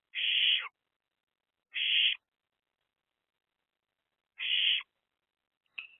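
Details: Owlets in a nest box, three young birds, morning of 4/13/24: a few softer, narrower raspy hisses spaced one to two seconds apart, followed by a short faint note at the end.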